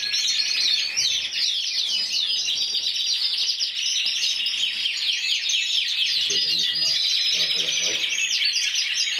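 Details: Intense yellow canary, a singly judged Spanish champion bird of 2014 scoring 94 points, delivering a continuous rapid song of dense trills and rolling chirps, unbroken and high-pitched, with a faint low background murmur.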